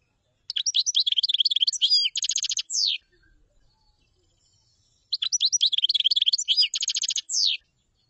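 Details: Two identical common chaffinch song phrases about four and a half seconds apart, each a bright descending cascade of quick notes, then a brisk trill and a sweeping terminal flourish.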